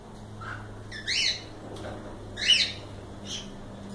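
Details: A cockatiel gives a few hoarse chirping squawks spaced about a second apart over a low background hum.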